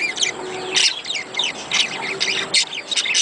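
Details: Budgerigars, with sound meant to encourage breeding: continuous high warbling chatter full of quick rising and falling chirps, with louder bursts near the one- and two-and-a-half-second marks.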